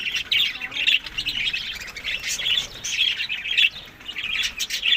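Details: Budgerigars eating summer food in May to June keep up steady, scratchy warbling chatter of overlapping chirps and squawks. The chatter swells and fades without clear pauses.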